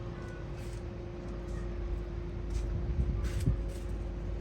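Steady electrical hum and low noise run throughout, with a few soft broadband rustles and no clear animal calls.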